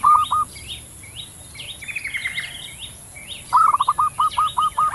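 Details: Male and female zebra doves calling back and forth in the wild: a brief burst of clipped cooing notes, a pause filled with higher chirps from other birds, then a fresh quick series of short, stuttering coos.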